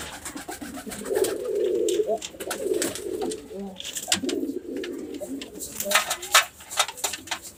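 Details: Pigeon cooing: soft, rolling low coos that swell and fade in several phrases, mixed with frequent sharp clicking and tapping sounds, louder toward the end.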